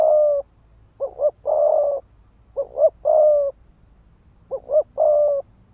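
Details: Spotted dove used as a ground decoy, giving fast 'thúc gù' cooing meant to stir rival males into fighting: mellow low coos in three phrases, each a quick double note followed by a longer drawn-out coo, over a quiet background.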